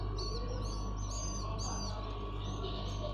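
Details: Common iora chicks begging while being hand-fed: a quick series of high, thin chirps and short rising squeaks, loosely repeated about twice a second over a steady low hum.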